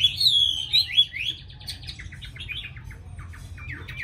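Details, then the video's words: Tame Chinese hwamei in Hanoi, Vietnam, kept for song; loud clear whistled phrases sliding between notes, then a softer run of quick varied chirps and trills repeated rapidly. "Mi thuần cb98123 giọng rất hay mau mỏ"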